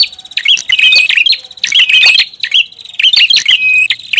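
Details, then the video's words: Lure sound of a prinia: dense, rapid high chirps and buzzy trills run almost without pause, with a steady thin whistle woven between the notes. "SUARA PIKAT BURUNG PRINJAK ATAS RIBUT"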